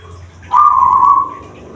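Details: A kept zebra dove (perkutut) from Blora, Central Java, of the "bedah karang" type, gives one drawn-out, mid-pitched, hoarse coo that falls slightly at the end, in a quiet room; such song reportedly carries 500–750 m in the wild.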